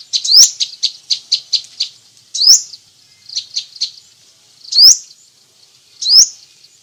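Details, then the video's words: Crimson sunbird, many-variation masteran song: rapid evenly spaced high ticking notes alternating with single sharp, upward-sweeping squeaks roughly every one to two seconds, in a clean quiet background. "masteran burung sepah raja banyak variasi"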